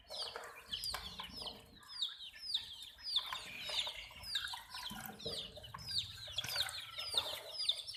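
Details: Baby chicken chicks peeping steadily, many short falling high-pitched chirps, about one and a half a second, over low rustling and soft background sounds.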